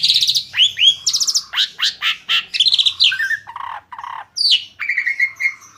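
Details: Asian pied starling singing in a way said to coax other birds into song: fast run of rattling buzzy notes, rising slurred whistles and lower nasal chatter, ending in a long steady whistle.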